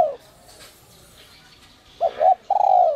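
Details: A spotted dove coo in the 'giọng còi' whistle style. The end of one falling coo is followed, after a pause, by a full phrase of two short hoots and a long, slowly descending coo.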